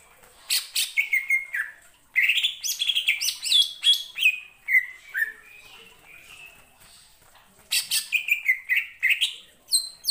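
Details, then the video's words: Greater green leafbird singing, a kept songbird noted for mimicking other birds: bursts of loud slurred whistles and rapid chirps, falling and rising phrases about two seconds long, separated by short pauses and one longer quiet gap. "BIKIN CUCAK IJO LAIN TERPANCING EMOSI & IKUT BUNYI"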